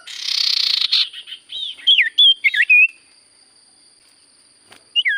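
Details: Sirtu cipoh (Common Iora) in full song: an opening grating buzz flows into a series of looping, rising and dipping whistles, then silence and one final whistled note.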